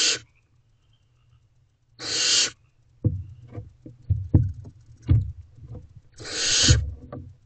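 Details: Barn owl owlets in a nest box at 9:57 pm on 5/8/23, taking turns with a rabbit, give three harsh, breathy hisses, each about half a second, a few seconds apart, with soft knocks and scuffling.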